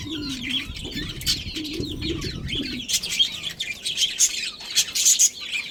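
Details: Budgerigars of a breeding pair twittering busily: high squeaky chirps and warbles, with a low cooing-like murmur in the first three seconds and sharper louder notes after.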